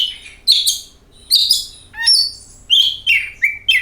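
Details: Oriental magpie-robin song used to coax birds into singing: sweet high whistles, a few rising and falling, plus a lower sliding note, in quick bursts.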